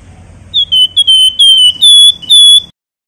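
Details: Javan white-eye, a singing bird kept as a song tutor or lure for songbird contests, giving a quick string of about seven clear, high, pure whistles, each held briefly, the last slightly higher and longer, over a faint low hum.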